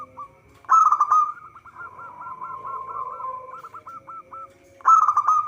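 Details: Zebra dove song played as a trapping lure: a loud rolling coo breaks into a rapid series of short even notes, then another loud rolling phrase, with a steady background hum.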